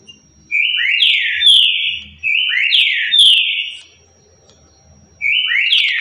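A Green-winged saltator sings loud, rich whistled phrases that slur up and down, each about 1.5 seconds long and repeated every couple of seconds, in the currucutil style.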